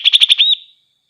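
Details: Greater green leafbird singing to stir up other leafbirds: four fast, harsh, ringing notes followed by a smooth, slightly rising whistled slur that fades away, nothing else audible.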